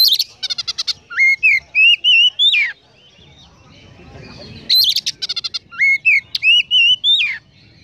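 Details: Oriental magpie-robin sings a konslet phrase full of Eurasian tree sparrow imitations twice: rapid chattering notes leading into sweet, rising and warbled whistles, with a short quiet gap between the two phrases.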